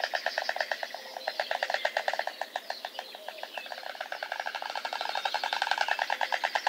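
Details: White storks at their nest in Nowy Kamień, Poland, on 20 May 2016, the day a third chick hatched, from a live nest camera: a rapid, dry, wooden clattering rattle of evenly spaced strokes, growing louder toward the end.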